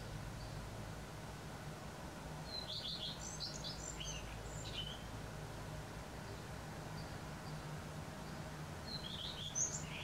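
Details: Common redstart morning song, western Poland, April 2020: a phrase opening on a high note and tumbling into descending slurred notes, repeated about six seconds later, over steady low-pitched background noise.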